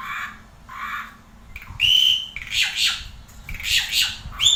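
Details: Asian pied starling singing: two hoarse rasping bursts open, then loud clear rising whistles mixed with scratchy squawks and chattering notes in quick, varied phrases.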